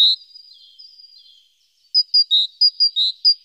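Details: Great tit around the nest one active morning, nest box webcam, 14 April: a soft thin note and faint trailing sounds, then a brisk run of bright high and lower notes alternating.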